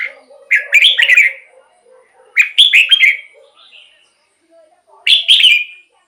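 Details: Red-whiskered bulbul, song used to make caged birds lively or draw in wild birds: three loud rollicking whistled phrases about two seconds apart, with softer low warbling notes between them.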